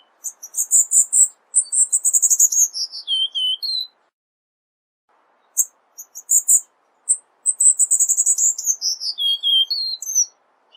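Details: Cuban bullfinch, dense 'tembakan rapat' masteran song: two long bursts of fast high chirps, each descending into lower whistled notes, separated by a silent gap of about one and a half seconds, over faint hiss.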